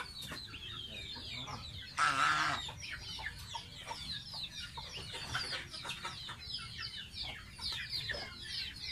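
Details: Bathing pet gosling; one loud splash at two seconds, otherwise dense, high-pitched peeps falling in pitch, delivered in quick irregular series.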